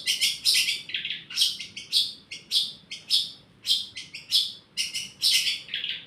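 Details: Long-tailed shrike giving harsh, clipped bursts of its church-sound mimicry, loud grouped chatter notes separated by short pauses, clean quiet background.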